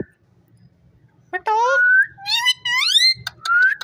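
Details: Ring-necked parakeet kept as a pet, talking indoors: a faint whistle, then loud clear whistled and speech-like sliding phrases with rising pitch, ending in a short whistle.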